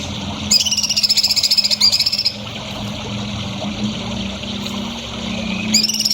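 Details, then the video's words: Songbird on a recording used to tutor young birds, giving a bright, slightly rising, very high trill of quick repeated notes for nearly two seconds, silence with a low hum, then the trill starting again. "MASTERAN BURUNG HANDAL UNTUK CALON BURUNG JAWARA"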